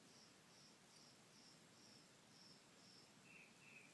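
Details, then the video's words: Birds calling loudly outside while a cat tries to sleep indoors: thin, high chirps repeated about every half second, then two lower chirps, over a steady background hiss. "Keep it down, birdies. You're trying to sleep. They're so loud."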